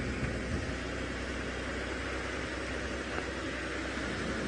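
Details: Steady broadband hiss with a low engine drone during a sunrise safari drive at 6 AM.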